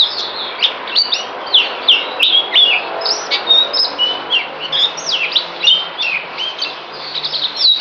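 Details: Caged songbird recorded 9 December 2018 before deworming, mixing scratchy, squawky notes with varied whistled slurs in an irregular, chattering sequence.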